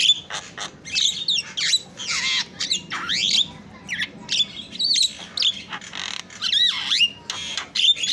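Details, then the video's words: Singing Javan myna (jalak kebo) in a training recording: a varied jumble of grating squawks, downward-swooping whistles and scratchy chatter, delivered in uneven bursts. "FULL MASTERAN KICAUAN JALAK PALING YAHOOD"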